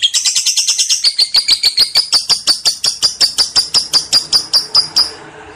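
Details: Lovebird giving ngekek song as a lure: a long even stream of shrill, metallic chatter notes, quick at first and slightly slower later, fading at the end into faint room noise.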